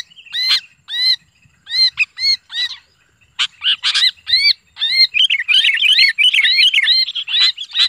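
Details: Sooty-headed bulbul screeching like a bird trapped in the hand, used to lure others. Spaced harsh squawks give way after a few seconds to an unbroken, frantic stream of rapid chattering cries.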